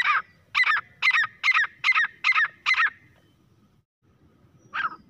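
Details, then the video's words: Grey francolin (teetar) calling: a quick series of seven loud, harsh, repeated notes about two per second, each a sharp rising-falling burst, then a pause and one more note; faint low background rumble. "teetar ki awaaz-तीतर की आवाज | grey francolin partridge calling voice"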